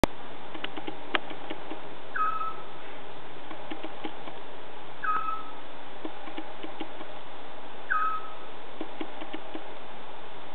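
Three short, mellow whistled notes from a scops owl, each slurring slightly down and spaced about three seconds apart, over a steady background hiss.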